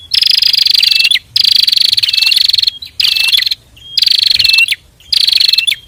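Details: A pair of Bar-winged Prinias sing energetically, used as a master recording to train other birds: high, buzzy, insect-like trills, each about a second long, repeated five times with short pauses between them.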